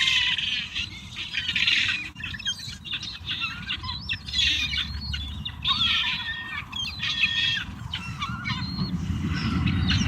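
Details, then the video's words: Wild gulls crowd a pile of food including pizza, producing a long stretch of overlapping squawks and squeals with low rumbling noise building near the end. "Happy Seagulls Eating a Variety of Foods!"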